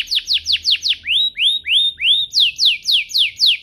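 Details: Canary song played to stimulate other canaries: loud descending whistled notes about four per second, then rising swept notes, then more descending whistles in a clear rhythmic series.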